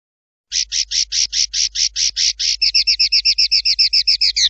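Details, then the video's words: Swiftlet, recorded as a training call for songbirds: a steady run of dry, buzzy chirps about four per second, shifting midway into faster, thinner twittered notes, with no other sounds. "MASTERAN UNIK BURUNG LINET"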